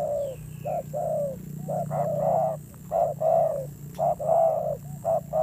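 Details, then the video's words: Caged decoy spotted dove with a fierce voice. It gives mellow, low coos in clusters of short and longer notes, with brief pauses between phrases. A faint background hum runs throughout. "Thổ Gù âm dữ"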